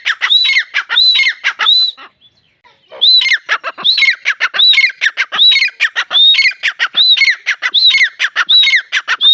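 Grey francolin giving loud, harsh, squawking notes in a fast run, nearly two per second, broken by one brief pause; no other sounds.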